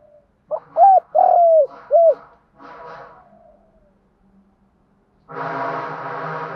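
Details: Captive decoy spotted dove calling to draw out males: one phrase of a quick note, two level coos, a long descending coo and a final short coo, followed by faint murmurs and a loud rustling clatter.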